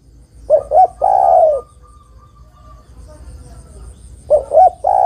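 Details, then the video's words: A female spotted dove calls a male: two short coos and a long descending coo, a quiet gap with a faint steady tone, then the next phrase begins. "TEKUKUR BETINA MEMANGGIL JANTAN"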